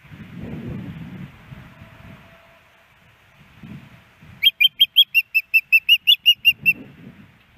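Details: Female osprey at a Hellgate Canyon nest in Missoula, Montana, 10 September 2018, still asking the male for a fish he does not offer. Low rumbling, then about fourteen rapid, high, clear whistled notes in a steady series.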